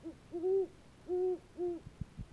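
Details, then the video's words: A pair of Great Horned Owls duet at 11 PM on 22 October 2015, renewing their pair bond: deep, soft hoots, one brief note then three longer muffled hoots about half a second apart, the male lower-pitched than the female, with faint low thumps. "Great Horned Owls Hooting"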